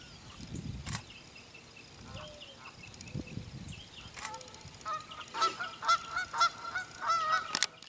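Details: Whooping cranes take flight from a pond in Tallahassee on 7 March 2015, starting their northward migration. The loud honking is noted as coming from Canada Geese, and the clicking at takeoff from camera shutters.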